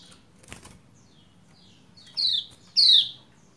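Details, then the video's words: Female Lombok white-eye calling the male to get him singing; a brief soft rustle, then two loud, high, falling chirps in quick succession near the end. "Ciak Ciak Pleci Lombok Betina Memanggil Jantan Supaya Cepat Gacor"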